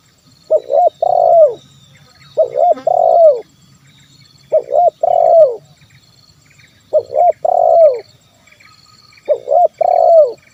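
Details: Repeated 'kuk 1' cooing of a spotted dove, kept for luring wild birds to call. Five phrases of two hoots and a long falling coo come roughly every two and a half seconds, with soft chirps of small birds around.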